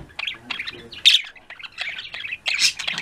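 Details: Budgerigar flock chattering in the afternoon: quick scratchy chirps and warbled trills in short bursts, with a loud harsh squawk near the start and another toward the end.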